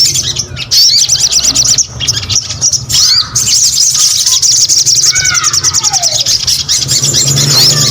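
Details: Lively Crested Jay song: continuous shrill high chattering trills with occasional down-slurred whistled notes underneath.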